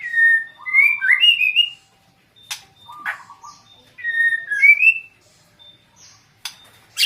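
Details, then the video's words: White-rumped shama described as easily agitated, giving loud, clear whistled phrases that slide and rise in steps, one burst at the start and a similar one about four seconds later, with sharp clicks and knocks between phrases. "Burung Murai batu gampang emosi"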